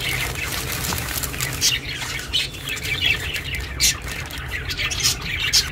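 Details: Pet budgie sounds for lonely budgies: chirping chatter broken by sharper squawks roughly every second, louder bursts standing out above a continuous low hum.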